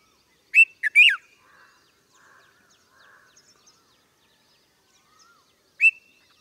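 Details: Red-vented bulbul with a quick cluster of sharp, bright chirped notes, then faint soft twitters, and a single clear chirp again about five seconds later.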